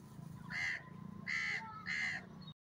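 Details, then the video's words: Grey francolin, known locally as teetar, calling three loud, harsh, grating notes at an even pace, each about a third of a second long, over a faint low hum. "teetar Bird sound teetar bird awaaz"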